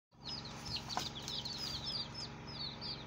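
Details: Newly hatched chicken chicks on their first day, a group peeping together: a busy stream of high, short, downslurred cheeps overlapping continuously, over a steady low hum in the background.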